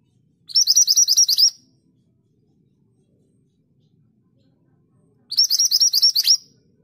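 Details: Scarlet minivet, a forest bird of lowland and hill forest, singing: two bursts of about ten rapid, sharp, high whistled notes, each burst roughly one second long, separated by a four-second pause, with a quiet background.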